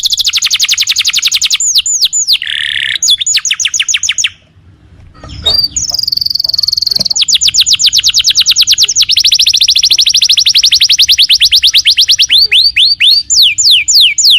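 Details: Canary singing vigorously, a lure recording to get other canaries to reply straight away: long, rapid high trills and rattles with a brief pause and a soft rustle midway, then the trilling resumes at full strength.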